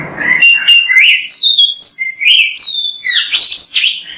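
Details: Oriental magpie-robin (kacer), singing energetically ('gacor') on a tutor recording meant to spur other birds to sing; a rapid, varied stream of whistles, slurred rising notes and shrill high trills with hardly a break.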